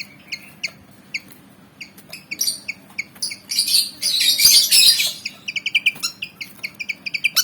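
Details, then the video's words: Fight-eager Javan fantail, a 19 cm black-and-white bird, gives rapid high chips around a loud rushing harsh burst, then resumes a fast irregular chipping series. "Burung Kipasan Jawa Ngotot Liat Pengen Tarung"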